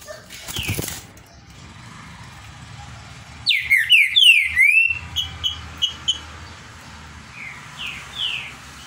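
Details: Captive green-winged saltator (trinca-ferro), labelled Paraná, gives a burst of strong slurred whistles, dropping and rising in quick succession, then softer spaced notes; some background noise and a soft hum throughout.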